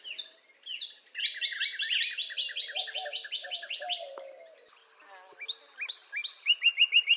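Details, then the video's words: Northern Cardinal song of quick repeated slurred notes in a long rapid run, a pause with a low tonal murmur, then a second run of clipped rising notes speeding toward the end. "Northern Cardinal Bird Sound"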